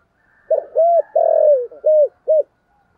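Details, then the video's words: Spotted dove singing its 'giọng thổ' lure coo to call wild doves close: five low, rounded notes, a short stuttering opener, a long descending central coo, then two quick clipped notes over a faint hum. "Tiếng chim cu gáy giọng thổ gáy gọi bổi nhanh về cội"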